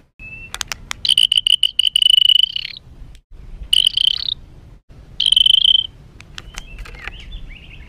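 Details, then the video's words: Harsh, agitated white-rumped shama singing to provoke other birds: three long buzzy, rattling notes, each preceded by sharp clicks, separated by short pauses, ending with soft wavering whistles. "Materan kasar MURAI BATU penuh emosi...pacingan burung agar cepat emosi"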